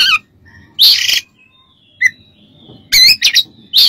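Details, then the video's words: Oriental magpie-robin song played as a training recording for other birds: loud harsh bursts alternating with short high whistled notes, separated by brief quiet gaps. "MASTERAN KACER DAN TERAPI"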